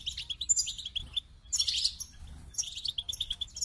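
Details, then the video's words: Goldfinch song: quick twittered phrases of bright chips and liquid tinkling notes, broken by a short pause, then a dense burst and more repeated chip series. "The Captivating Call of Goldfinches"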